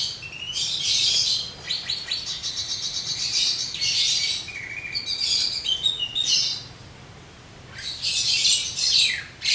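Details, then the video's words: Javan myna, locally jalak kebo, in vigorous full song: long rattling trills and buzzy chatter interleaved with short whistled phrases, nearly continuous with one brief lull. "burung jalak kebo gacor,full materi"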